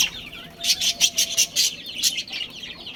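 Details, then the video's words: Budgerigars chirping in a colony with a breeding pair: a brief series of about eight loud, harsh, high chirps in quick succession, then quieter twitter. "Cute Budgies Chirping Sounds"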